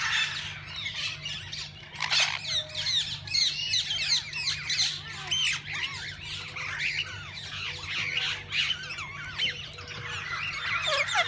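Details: Assorted parakeets in a parrot-zoo walk-in aviary give sharp, rapid squawks and warbled chirps in loud clustered bursts, many birds calling over one another.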